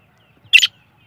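A black francolin chick gives a single high, thin peep lasting a fraction of a second, with near silence around it.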